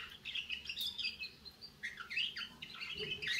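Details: Young canary starting to sing, giving a continuous, uneven warble of quick chirps, slurred rising notes and brief trills, loosely repeated, close and clear against a quiet room background.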